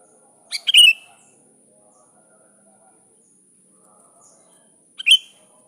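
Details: Sooty-headed bulbul calling a rival: two short, bubbly, liquid phrases of several quick notes, separated by about four seconds of near silence.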